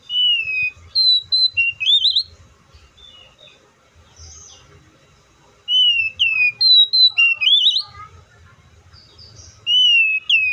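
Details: Repeated song phrases from an oriental magpie-robin: three bursts of sharp, clear whistles, each with slurred falling and rising notes and a warbled rising ending. Softer chirps and faint low background noise fill the gaps between bursts.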